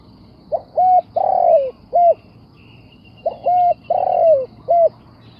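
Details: Spotted dove cooing: two matching phrases, each a soft lead-in note, a clear mid-pitched coo, a long burry coo sliding downward, then a short rounded coo. Quiet background.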